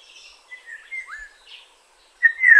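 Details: Black-naped oriole recorded in Kaohsiung, Taiwan, on 9 May 2016: soft scattered whistles and short downslurred fluty notes, ending with a louder clear whistle sliding downward.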